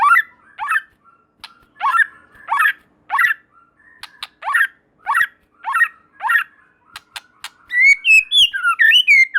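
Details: White-rumped shama (murai batu) song played to draw responses from other shamas: a harsh, buzzy note repeated roughly every two-thirds of a second over a faint steady whistle, ending in a burst of quick looping whistles.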